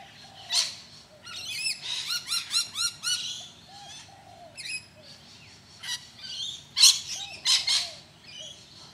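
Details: Rainbow lorikeet (Trichoglossus moluccanus) at Deception Bay, south-east Queensland, Australia: harsh, grating screeches in quick bursts, several close together, then scattered sharp shrieks over the next few seconds.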